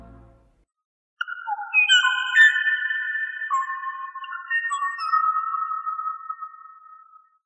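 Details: The last known Kauaʻi ʻōʻō, a lone male singing in Hawaiian forest in the 1980s after the last female died in Hurricane Iwa: clear, flute-like whistles, some held and some sliding, a few overlapping, over about six seconds.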